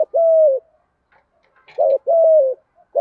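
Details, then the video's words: Country-voice spotted dove coo meant to prompt other doves to call: a long flat coo, a pause, then a short note and another long slightly falling coo, quiet background. "Chim cu gáy giọng đồng thúc gù bài bản"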